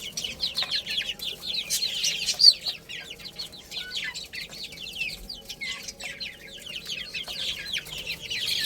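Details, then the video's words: Flock of little chicks peeping as they eat and play, a continuous wash of short descending whistles, thick and overlapping, with an occasional sharper, louder peep standing out. "Cute Little Chicks Chirping Sounds"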